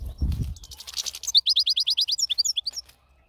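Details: European goldfinch in a natural setting: a brief rustle, then a lively rapid series of high tinkling, slurred twitters, evenly spaced and fading out after about two seconds.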